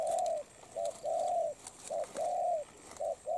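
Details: Wild-caught spotted dove, currently moulting, giving its coo: short clipped note followed by a long level husky coo, the pattern repeated three times in quick succession.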